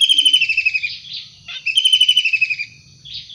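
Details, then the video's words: Long-tailed shrike calling in the wild: two harsh, fast rattling trills, each gently descending and about a second long, separated by a brief rasp and short pause. "Tengkek udang gacor asli alam liar"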